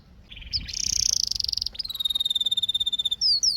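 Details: Canary song in a short burst: a buzzy rolling trill, then a long even whistled tour of rapid pulses, ending with two quick rising-falling notes.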